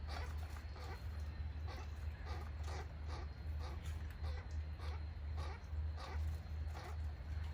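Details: Pileated woodpeckers visiting: a series of short, nasal, harmonic notes repeated irregularly, roughly two or three per second, over a steady low rumbling hum that persists throughout.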